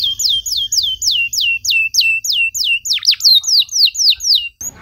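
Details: Canary singing a long, loud song in the luxurious cengkok style, meant as a model for young canaries: a steady series of high downslurred notes, about three a second, then a quicker tangled burst.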